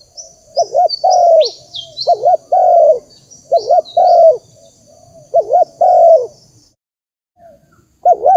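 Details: Spotted dove call for luring wild doves: low coo phrases repeated in quick succession, each a wavering doubled note and a longer coo, with high chirping from other small birds over the first part.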